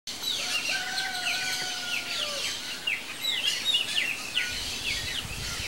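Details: Chopi blackbird at a feeder: two long, clear whistles at different pitches, overlapping and gently falling, set against a busy chorus of short high chirps from other birds and steady background noise.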